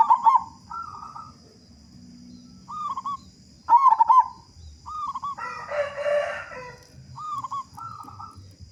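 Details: Local zebra dove with a big voice, singing to coax other doves to sing: loud rolling staccato coos and short cooing phrases repeated throughout, with a rooster crowing partway through and a low background hum.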